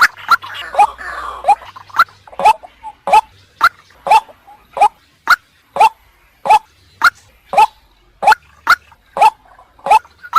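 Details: Female white-breasted waterhen calling, used to lure the male out of its habitat: single sharp nasal notes with an upward kink, repeated steadily roughly every half second over faint background noise.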